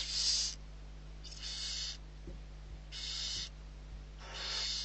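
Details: Six barn owl owlets being fed at Riet Vell reserve, Ebro Delta, Spain, on 21 November 2023; loud breathy hissing screeches repeat irregularly, each about half a second long, over a steady low hum.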